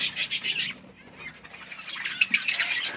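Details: Parrots chirping while eating food: dense bursts of high, rapid chirps and twitters, fading midway, then a renewed busy chatter of overlapping sharp notes.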